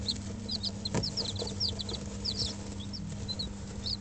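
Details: Dutch bantam and Barbu d'Anvers chicks, five days old, in a brooder with an electric hen for warmth, give rapid high peeps, many overlapping short downslurred cheeps, over a steady low hum.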